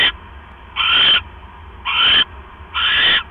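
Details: Owl at night as the male delivers a rat to his mate, which swallows it whole; rasping, noisy screeches of even length come in a regular series about once per second, with faint background hum.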